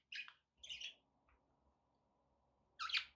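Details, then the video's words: Budgerigar in a room giving three short raspy chirps separated by pauses, over a low constant background hum. "budgie sounds with background noise for relaxation"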